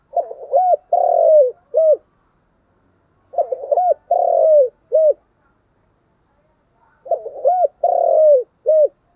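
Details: Spotted dove in continuous 'thúc gù' cooing, three matching low, soft phrases about three and a half seconds apart, each a quick stuttered start, a longer drawn coo, then a short closing note; nothing else audible.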